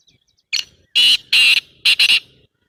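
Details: Black francolin giving a loud, harsh, grating call phrase: a single short note, then two longer rasping notes, then a quick pair of short notes, all high-pitched and clipped, in otherwise quiet surroundings.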